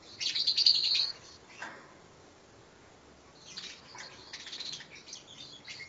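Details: Lovebird in ngekek training, a bird said to keep its trilling ngekek song going for 7 to 15 minutes. A dense, shrill, high chattering trill lasts about a second, then sparse faint chirps follow and a scratchy burst of twittering comes near the end.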